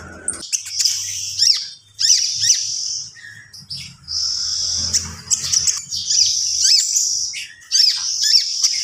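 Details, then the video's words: Common iora in sustained song, long high whistled phrases laced with rapid down-slurred notes and chatter, repeated in several bouts separated by short pauses. "SUARA BURUNG KONIN GACOR"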